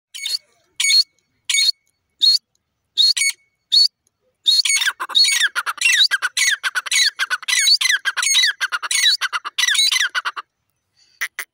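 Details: Pair of grey francolins, female calling: loud, harsh, repeated squeaky notes, first in spaced pairs, then a rapid rhythmic series of rising, ringing notes for about six seconds before stopping.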